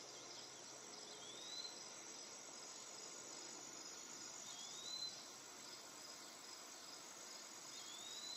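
Eastern Wood-Pewee giving thin, slurred, rising whistles about every three seconds, half-buried under a steady, high insect chorus.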